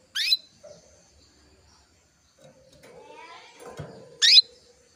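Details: Female canary calling to excite a male so he sings sooner: two strong, rising, buzzy calls at the start and end, with quiet scratching and rustling and a brief low murmur between them.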